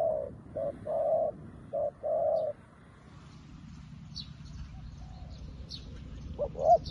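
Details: A spotted dove kept as a decoy, newly caught, calls wild doves to it. It gives a rhythmic phrase of short and drawn-out low coos, then a pause, then another phrase starts, with thin high chirps from other birds.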